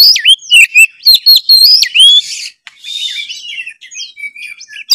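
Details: Oriental magpie-robin in lively lure song: loud, rapid, varied whistles and swooping notes with clicks for two seconds, then a softer, buzzy, scratchy warble with thin whistles.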